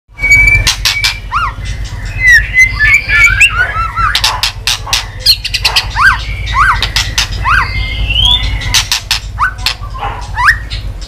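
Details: White-rumped shama stirred up to sing while flicking its tail. Clear whistled phrases near mid-high pitch, some sliding and rising, broken by sharp dry clicks in quick bursts, over a steady low hum.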